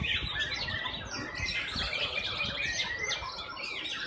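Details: White-rumped shama at a singing competition session: dense, overlapping bright whistled and chirping phrases, rapid and varied, with several birds singing at once and faint human voices underneath.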